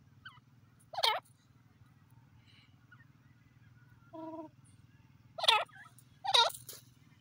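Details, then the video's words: Francolin calling: a few loud, harmonic, down-swooping notes in spaced bursts, with a short stacked note in between, over a steady low hum. "orignal awaz teetar francolin teter ki awaz"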